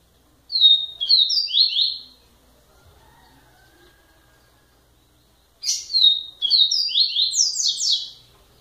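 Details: Two bursts of song from a double-collared seedeater, each a rapid chain of high, sliding notes rising step by step, separated by a few seconds of near silence.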